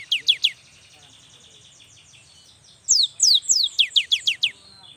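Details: A young cinereous tit in full song, meant to coax reluctant birds to sing; three quick falling whistles, a quiet pause, then a burst of eight rapid downslurred notes.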